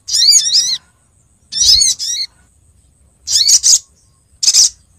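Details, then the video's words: Female olive-backed sunbird calling to a male, used to lure birds. Four well-spaced bursts of shrill, high twittering, the first ones with sweeping tones and the later ones buzzier. "suara pikat sogok ontong betina memangil jantan"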